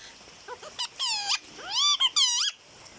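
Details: Talking pet parrot said to say "Didi": short clipped syllables at first, then drawn-out, richly harmonic voice-like phrases, one sweeping upward and others arching, in four to five bursts over three seconds.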